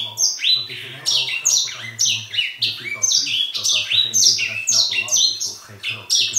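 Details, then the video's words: Indoor grey singing finch in full song: an unbroken, fast sequence of clear, high, stepwise falling whistles and trills lasting several seconds, with a low steady hum behind. "zang van de edelzanger / singing Grey singer"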